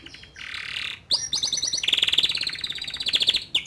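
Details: Young male canary singing to coax a juvenile into song. A brief buzzy note leads to a short run of high chirps and then a fast, even rolling trill.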